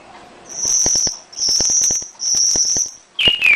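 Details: Domestic canary lure song for getting other canaries to sing: three long thin high buzzy trills separated by short gaps, with clicking taps behind, then a falling whistled note.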